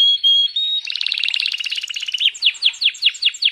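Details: Hand-held canary in full song: a clear steady whistle, then a fast buzzy rolling trill, ending in a series of loud sweeping chirps repeated about every fifth of a second.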